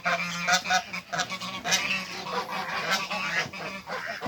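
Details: An African goose of a couple on a Greek farm, meeting other waterbirds, gives a rapid series of short nasal honks, roughly fifty a minute, overlapping with other bird calls.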